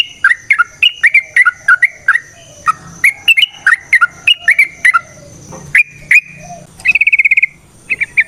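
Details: Sooty-headed bulbul singing a lively 'nrotok ngecuplik' variation, used as a lure to get other bulbuls singing: rapid bubbly whistled notes, then a fast rattling trill near the end and a few closing chirps.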